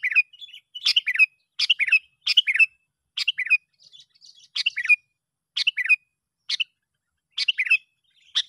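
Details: Bulbul call, Sooty-headed, played to pull other bulbuls in: crisp, chattering two-part phrases of a sharp note followed by a rolling warble, repeated irregularly about once a second, with a few softer twitters between.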